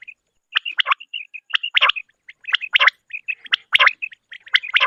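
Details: A female common quail (Coturnix coturnix) calls with raspy, wheezy bursts mixed with short, high whistled chirps, repeated about once a second, with no other sounds.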